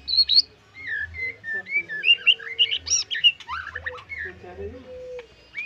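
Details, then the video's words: Caged white-rumped shama in full varied song: warbled whistles, quick slurred phrases and squeaky notes shifting in pitch, with low knocking sounds underneath. "MURAI BATU LEPAS TROTOL FULL ISIAN"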